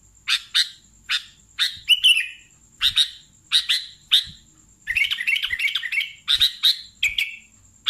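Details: Sooty-headed bulbul singing vigorously: a series of crisp single chirps, then a quick bubbling cluster of notes, then slurred whistles, with a thin high steady tone underneath.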